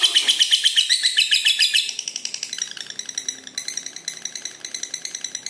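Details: Long ngekek trill from a red-eyed lutino lovebird, used to coax and tutor other lovebirds: loud rapid chattering pulses at first, then softer and more spaced, stuttering onward.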